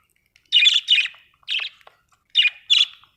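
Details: Australian budgie chirping loudly: five harsh, buzzy chirp notes, two quick pairs with a single note between them, on a silent background.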